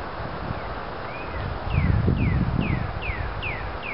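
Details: Pileated woodpecker calling in Bechtel Park, Waterloo: a rapid run of clear descending notes, about two per second, one rising note near the start, with low rumbling noise and rustling in the middle.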